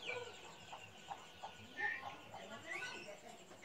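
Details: White-rumped shama fledglings in a hanging cage at a breeding aviary, an older female fledgling feeding her younger sibling, give short scattered chirps and squeaky notes, some sharply rising, at an uneven pace, over a faint murmur of voices.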